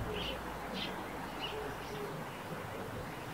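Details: Near a nest under a roof, a Eurasian tree sparrow gives a few clipped, high chirps early on. The calls then thin out into soft background noise.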